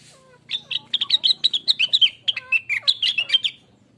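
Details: Rengganis or cucak wilis, the blue-winged leafbird, in a natural lure song to set other birds singing: one continuous three-second run of fast, varied chirps and squeaky notes, bright and tightly packed.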